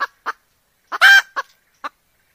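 A hen gives short, nasal clucks, with one longer, louder squawk in the middle, spread irregularly over about two seconds with quiet gaps between.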